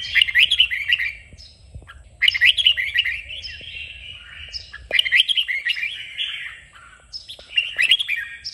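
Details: A red-whiskered bulbul sings during 'kích bổi' training meant to excite it into strong song. Four brisk, liquid warbling phrases arrive roughly every two and a half seconds, each fading into a softer trailing note.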